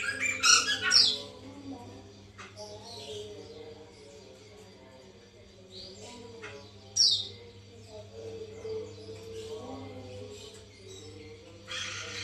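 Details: Lure sound of white-crested laughingthrush for prompting a captive bird: a short harsh cackle at the start, a brief sharp note around seven seconds, scattered soft notes, and a chattering burst at the close.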